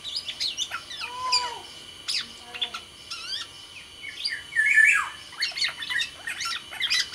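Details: Black-naped oriole, Sumbawa form, kept as a cage songbird, giving a varied song of quick chirps mixed with a few lower, fluty whistles and a brief harsh, falling note.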